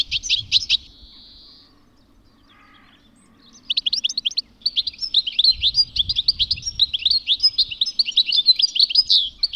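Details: A European goldfinch in spring in the UK sings, twittering away in fast, liquid phrases mixed with brief buzzy trills, several bursts each second, pausing once before a long run of song.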